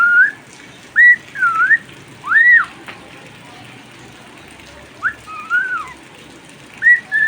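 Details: Cockatiel kept at home singing during rain: short bursts of bright whistles, including arched and hooked slurs, separated by a longer quiet stretch before more phrases.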